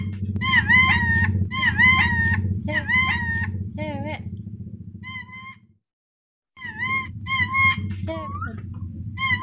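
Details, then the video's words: Black-capped lory calls from a tutor recording used to train a lory to talk. Rapid bursts of harsh, ringing squawks with bent notes repeat several times a second over a steady low droning hum, broken by a short silence. "Masteran agar nuri dora cepat bicara"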